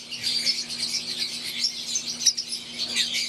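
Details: In an aviary, wild green Fischer's lovebirds and Euwing lovebirds chatter loudly, thin piercing chirps layered over each other with one sharp louder note midway, plus a faint background hum.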